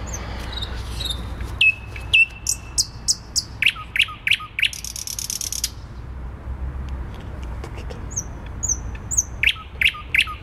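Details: Thrush nightingale in Warsaw city centre, 12 May 2020, delivering a varied phrase: long level whistles, sharp repeated downward strokes, a short dry rattle, then soft high whistles and clipped notes, with steady low traffic rumble.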